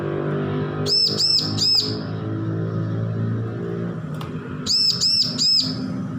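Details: Learning young bar-winged prinia, recently off hand-feeding, giving two bursts of three quick arched whistled notes, nearly three seconds apart, over a low humming background.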